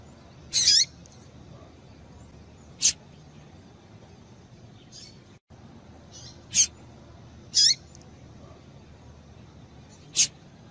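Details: A female double-collared seedeater calls to get a male singing: sparse, thin, very high chirps, some clipped and some slurred downward, spaced one to three seconds apart, with faint softer notes between.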